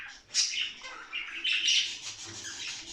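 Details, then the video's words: Budgerigar chatter used to stimulate play and breeding: a loud scratchy burst followed by buzzy warbling and a short clear whistle, flowing without pause. "صوت تغريد لتنشيط طائر البادجي علي اللعب والهيجان والتغريد والتزاوج"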